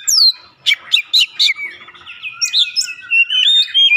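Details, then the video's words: Lure recording of Oriental magpie-robin song to make a bird start singing: a sweeping whistle, then four strong, rhythmic chip-like notes, then a long, fluid, varied warble. "pancingan Kacer langsung buka paruh GACOR"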